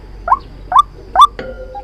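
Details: Three loud, rising nasal calls from a white-breasted waterhen, used as a lure for trapping, spaced under half a second apart and ending in a sharp click with a brief tone.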